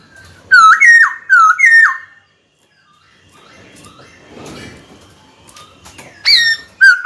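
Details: White-cheeked laughingthrush kept as a cage bird, singing to goad a rival into fighting: a fast series of loud slurred whistles, then a quiet stretch of faint rustling before more whistled notes.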